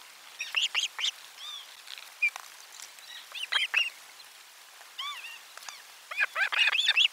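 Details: Osprey at nest camera four during a lunchtime fish delivery on 12 July 2022: bursts of sharp, high chirping calls in quick clusters, with a few separate arched, whistled notes between them.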